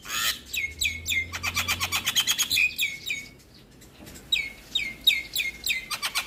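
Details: Song of a Javan myna, used to stimulate lazy mynas: bright buzzy chatter and whistled downslurs in two bursts separated by a short pause.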